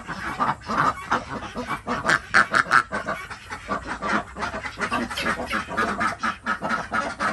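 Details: Desi duck flock on a homemade village farm in Andhra Pradesh, India, mornings while eggs are picked up; bursts of harsh, nasal quacking rise and fall in a crowded chorus.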